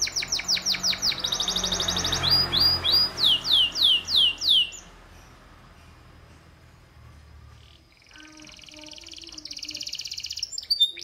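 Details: Canary singing: a quick rolling trill of high notes, then a slower series of clear, sweeping whistles descending in pitch. A few seconds of near silence follow before softer buzzy, rattling phrases return and build toward the end.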